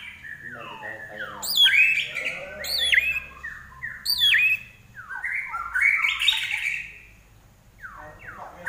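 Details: Common iora from Indonesia singing strongly in captivity: separate bursts of sharp, high, downslurred notes and buzzy chatter, with short pauses between phrases.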